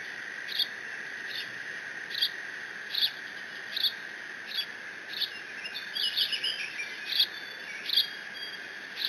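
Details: Solitary bald eagle eaglet at Decorah, June 30, 2017, mantling a father-delivered fish and squeeing; crisp high peeps about every three-quarters of a second, briefly quickening into a twittering series, above a low constant hum.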